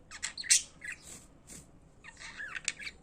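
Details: Pet budgerigars singing, with a loud raspy squawk near the start followed by quieter scratchy warbling and a few clicking chirps.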